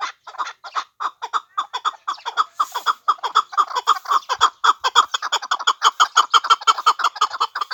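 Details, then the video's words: A chukar partridge kept as a hunting bird uttering quick, clucking chuck notes, nearly two per second, mid-pitched and rhythmic across the whole recording. "Кабки побандии шикори"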